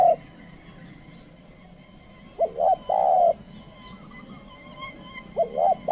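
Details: Trained decoy spotted dove calling to lure wild doves, which do not come near. After quiet, a short two-part coo of hoarse, low notes is followed by a long, steady, hollow coo, with another phrase starting at the end.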